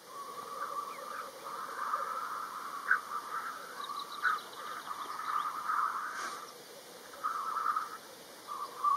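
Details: Lekking black grouse on open ground in Kurzeme, Latvia: a near-continuous run of rolling, bubbling notes with a few sharper accents, over a constant low chorus of other displaying males.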